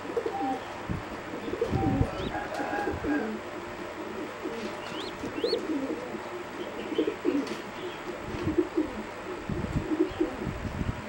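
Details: Singing zebra dove bred for competition, preening, gives soft low cooing phrases buried in a dense, noisy background with a few brief high chirps from other birds.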